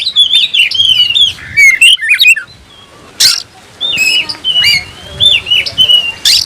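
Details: Oriental magpie-robin singing in search of an opponent: sweet drawn-out whistles and bent slurs with brief harsh rasps, separated by short quiet gaps.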